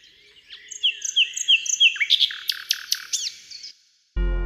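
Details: Common nightingale, hidden in a thicket, sings a run of four or five rising, pure whistles, then a quick burst of loud, sharp chipping notes; music cuts in at the end.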